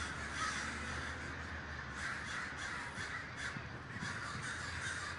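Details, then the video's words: Many crows at a large communal gathering in Davis, California, producing a steady din of raspy caws blended into one dense chorus, some calls slightly louder near the start, over low rumbling noise. "The Great Gathering of Crows"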